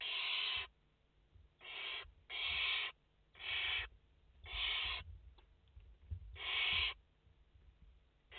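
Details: A nest holding five barn owl chicks, 29 August 2021, where gritty hissing screeches of half a second come in irregular runs, with longer silent stretches between groups.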